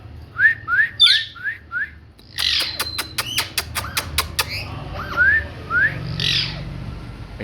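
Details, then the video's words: Pet parrot in a home: a run of five short rising chirps, then a burst of sharp clicks and harsh squawks, followed by two more rising chirps, while a person speaking Hindi calls to the bird. "Parrot Talking"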